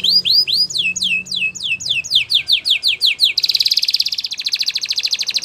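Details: Canary training song: looping whistled notes, then descending sweeps repeated at a quickening pace, switching into a fast, dense buzzy rolling trill to the end.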